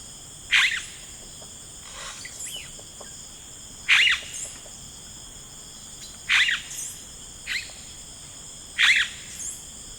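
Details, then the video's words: Yellow-rumped cacique in rainforest repeating a loud, explosive, crackling note about every two and a half seconds, each followed by a softer slurred call, with a continuous insect drone underneath. "1 Hour of Yellow Rumped Cacique Sound"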